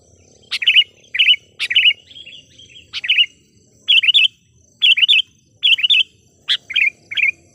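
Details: Caged sooty-headed bulbul decoy bird, chatty and lively, used to lure wild bulbuls: short bubbly, slurred phrases repeated about every half second to second, each opening with a sharp click, over a steady faint high whine.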